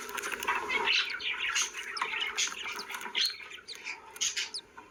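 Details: Several happy pet budgies making flock sounds, a continuous jumble of chirping and chatty warbling notes with brief higher squeaks, moderately loud over low background noise.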